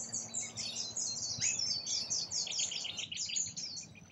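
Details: A flock of rainbow lorikeets feeding in Australia gives high, scratchy screeches packed tightly together, about two per second, in an unbroken, noisy stream.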